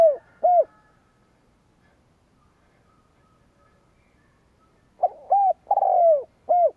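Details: Decoy spotted dove calling to provoke rivals; the end of one phrase opens the recording, then near-silence for about four seconds, then a full phrase of a short note, an arched coo, a long descending coo and a closing arched coo.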